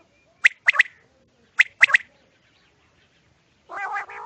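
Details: Quail calling at night: sharp paired high notes, two rapid two-note groups about a second apart, then a short harsh burst at the end.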